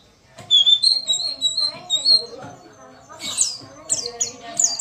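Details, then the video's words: Female white-eye voice used to stir males into song: a high, wavering whistled phrase, then sharp, squeaky twittering bursts, with a soft low hum beneath. "pancingan pleci malas bunyi"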